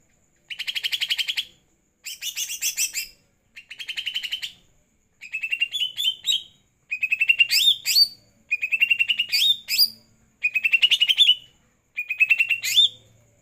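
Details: Following a night-time bath, a greater green leafbird sings in eight separate short bursts, each about a second long, of quick trilled chips that end in upslurred whistles, with clean gaps between the phrases.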